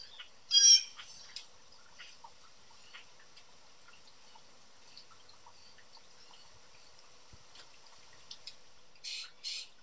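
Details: Four young blue jays, hungry and energetic, visiting a feeder yard in Southern Ontario, Canada. One loud harsh scream opens, then near silence with faint ticks, before two more raspy screams close in quick succession.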